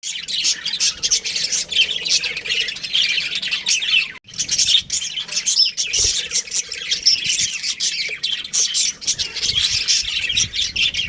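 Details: A breeding pair of budgerigars chatters nonstop in a dense, high warble of chirps, squeaks and scratchy notes.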